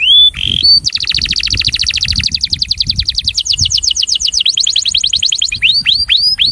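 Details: Breeding male canary in attraction song: an upslurred whistle, then a long rapid trill of repeated notes, ending in several rising whistled phrases.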